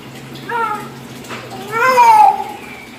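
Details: Hill myna imitating a child's voice: two drawn-out, speech-like, wavering vocal phrases, the second louder and rising then falling, in a small indoor space.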